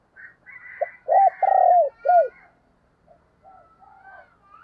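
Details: Spotted dove decoy cooing to entice wild doves. Thin chirps of another bird come first, then a low phrase of short coos with a long rolling, falling coo, followed by faint twittering.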